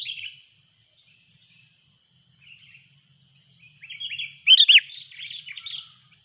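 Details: Sooty-headed bulbul calling loudly as a rival arrives: scattered soft chirps, then a lively burst of bubbly warbling with two loud, rounded whistled notes, trailing off into chatter.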